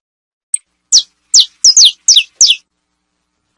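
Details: Saffron finch singing to tutor young birds in basto, pinto and fino styles: a clean series of about seven crisp high notes, each sliding steeply down, spaced roughly every third of a second, on a silent background.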